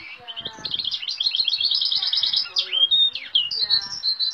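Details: Goldfinch x Timbrado canary mule whose song borrows goldfinch, great tit, cirl bunting, nightingale, western rock nuthatch and woodlark sounds; rapid trilled twitter, then a clear slurred whistle near the middle, followed by more bright chattering phrases.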